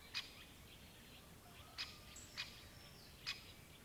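Four sharp, high 'kik' notes from a great spotted woodpecker, spaced unevenly over about three seconds, with faint thin whistles and a soft outdoor hiss behind.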